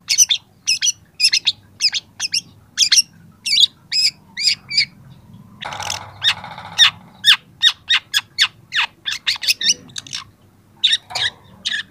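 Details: Young long-tailed shrike in a training recording, pouring out a fast stream of harsh, scratchy high notes with varied squeaks, interrupted midway by a brief broad buzzy rattle.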